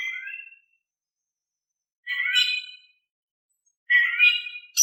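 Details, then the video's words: Oriental magpie-robin singing energetically with a soft tone to stir silent birds into answering: short rich, buzzy-harmonic phrases repeated roughly every two seconds with silent gaps, a high note at the end. "Kicau Kacer Gacor Suara Kalem cocok untuk bikin Nyaut Kacer Malas Bunyi"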